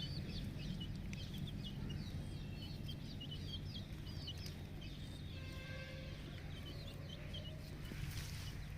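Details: Ten-day-old naked neck chicks on a farm peep in quick high chirps that are clearest early on, then thin out, with faint tonal squeaks and a loud low hum beneath.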